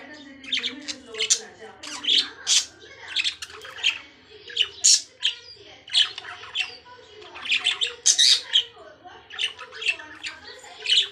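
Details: Lovebirds giving shrill, harsh squawks and sharp chirps in rapid bursts, several a second, clustered in pulses with short pauses, over a faint steady low murmur.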